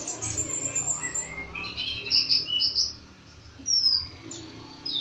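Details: Bird giving scattered high, thin whistles and short trills, separated by quieter gaps, against a noisy low background.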